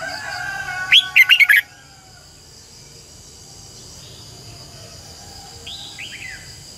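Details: Red-whiskered bulbul decoy bird singing to train other birds: a short loud phrase of four rolling whistled notes near the start, then quiet, with a faint distant reply late in the recording.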